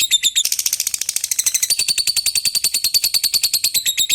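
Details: Lovebird in a sustained ngekek chatter, a rapid machine-like rattle of high, buzzy notes repeated many times a second without a break. The call is used for calling an opponent.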